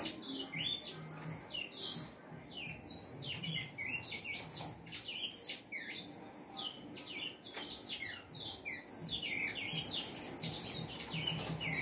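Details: Saffron finch in full song, pouring out rapid high chirps and slurred downward-sweeping notes in an almost unbroken stream, with a low background hum.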